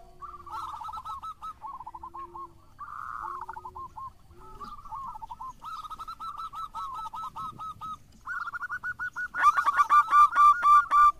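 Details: Local zebra dove singing busily: soft rolling, bubbly coos repeated in quick phrases around the same mid pitch, with several phrases overlapping and a louder, very close burst of throaty coos near the end.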